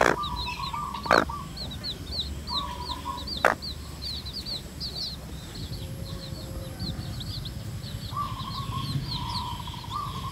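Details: Red junglefowl hen with chicks foraging in the wild; the hen utters drawn-out mid-pitched clucking phrases at the start, middle and end, while the chicks keep up soft, high downslurred peeps; two sharp knocks early on.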